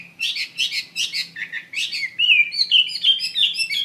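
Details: Wambi mandarin bird (hwamei) singing actively opens with a series of buzzy chirped notes, about three per second, then shifts to clear looping whistles.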